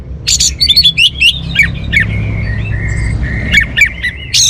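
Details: Song of an orange-headed thrush: a jumble of sharp chirps, harsh squeaky notes and thin sustained whistles, fairly loud, with a steady low rumble underneath.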